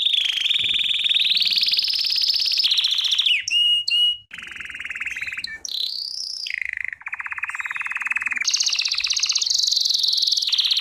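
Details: Belgian canary song used for training: long sequences of fast rolling trills shifting between higher and lower pitches, separated by brief sharp notes, continuous and loud.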